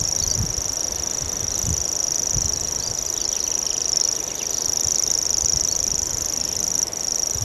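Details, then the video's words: Common grasshopper warbler delivering its reeling song, an unbroken, even, high buzzing trill like a fishing reel, running through the whole stretch, with faint notes from another bird and low wind noise. "Grasshopper Warbler reeling"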